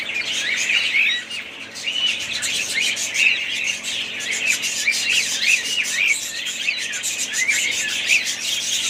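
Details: Family group of pet budgerigars chattering together, a dense overlapping stream of high, scratchy chirps and warbles with brief squawks, continuous throughout with no pauses.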